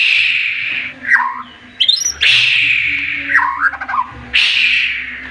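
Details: Agitated white-rumped shama in 'tembakan' song that sets rivals calling: loud harsh rasping bursts alternate with short tumbling whistled and warbled phrases, repeated about every second.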